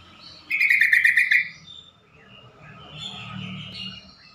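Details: Yellow-vented bulbul gives a quick, bubbly burst of about six chattering notes, then softer, scratchier calls over faint background noise; a call said to draw fast responses from other bulbuls and to prompt stressed or silent birds to sing.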